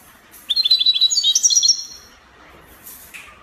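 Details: European goldfinch, Spanish copia song, Morocco: a fast, evenly paced series of bright tinkling notes stepping upward in pitch over about one and a half seconds, then a soft hiss and faint call.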